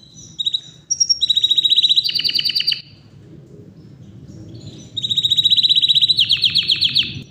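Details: Yorkshire canary singing powerfully and nonstop: bright high whistled notes, then two fast rattling trills of rapidly repeated notes separated by a short pause, over a low background hum.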